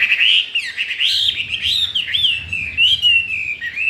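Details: Newly arrived wild-caught Chinese hwamei, kept caged and unafraid of the other birds, pouring out a continuous loud song of slurred, warbling whistles that rise and fall without a break.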